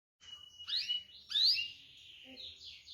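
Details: Canary, kept as a caged songbird, with a short burst of whistled and slurred notes, two louder sweeping phrases, and thin trailing twitters against a faint low hum.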